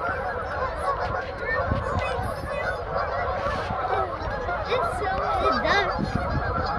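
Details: Hundreds of Canada geese gathered on a frozen ice pond in Kleinburg, a loud chorus of overlapping honks forming a steady wall of sound, with ducks and seagulls nearby.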